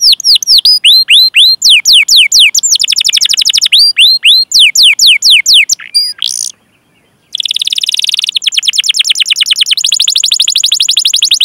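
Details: Training song of a canary, 'cuit cuit' chirps and rolls for young or silent canaries: strings of curved whistles and quick rolls, a brief pause, then dense buzzy trills continuing to the end.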